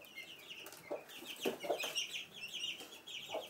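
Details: A hen keeps clucking softly and irregularly, several low notes per second, while her chicks peep high and thin around her; recorded indoors at Sandoval de la Reina, April 2016.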